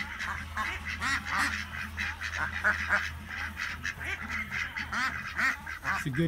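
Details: Farm flock of ducks in Chile quacking together: rough nasal quacks and laughing runs overlap in a busy chorus, with a steady low hum underneath.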